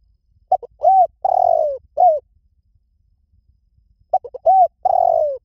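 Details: Liw tan style cooing of a spotted dove, used as a lure so a trained dove answers in reply: one complete phrase of brief stuttered notes, a long descending hum and a short closing coo, then a fresh phrase beginning after silence.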